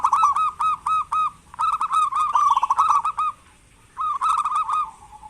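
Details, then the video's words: An eager local zebra dove calls as a lure for lazy doves: evenly spaced, punchy coo notes lead into a rolling, bubbling phrase, then a pause and one more burst of quick notes. "Perkutut lokal gacor pancingan perkutut malas agar bunyi"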